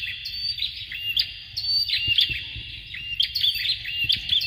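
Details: Bar-winged prinia male and female singing for a tutor recording used to train contest birds: bright, high, rapid chattering notes and short rising whistles packed closely together.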